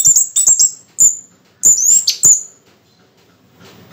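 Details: Orange-headed thrush in moult giving very high, thin whistled notes and short sharp chips in quick succession, ending in a downward slur and then quiet.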